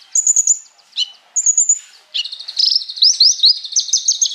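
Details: Konin or Crimson Sunbird song played to train and provoke other birds. Thin high whistles open, then a rapid stream of sharp rising and falling chips fills the second half.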